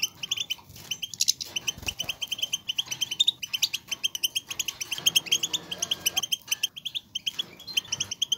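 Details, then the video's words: Group song of several European goldfinches, played to stimulate females to mate and males to sing: dense overlapping high twittering and tinkling notes, rapid and continuous, with a faint low background rumble. "بتبتة لتسخين انثى الحسون وتهييج الذكور"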